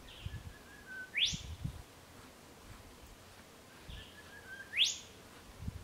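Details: Pair of Spotted Pardalotes checking burrows for a nest in Ku-ring-gai Chase National Park, NSW, early September 2016: twice a soft low whistle followed by a fast rising shrill sweep, about four seconds apart, with quiet rustling.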